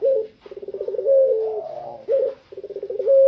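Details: Puter pelung spotted dove, tame and outside its cage, giving fast stuttering coo series ending in short held notes, repeated twice.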